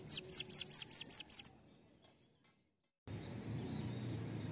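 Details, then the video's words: Cambacica, or bananaquit, song meant for tutoring: a quick string of about seven shrill, high-pitched notes, then silence, followed by steady low background noise. "CANTO LINDO DEMAIS PARA ENCARTE DE SIBITE CAMBACICA"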